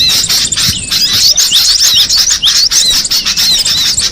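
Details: Cinereous tit recorded in the wild, giving fast, high-pitched twittering: short squeaky slurs repeated rapidly and irregularly, several callers overlapping.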